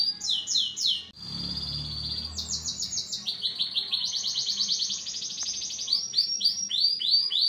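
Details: Agitated, noisy canary singing in fast bursts: quick descending notes, a brief pause, then high rolling trills that shift pitch step by step, ending in looping rising chirps.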